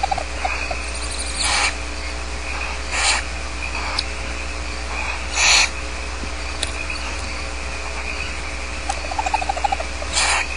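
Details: Young barn owls at Starr Ranch being fed, giving harsh, hoarse hissing begging bursts, some brief and some drawn out, roughly every one to two seconds, over a steady low hum with faint high squeaks between.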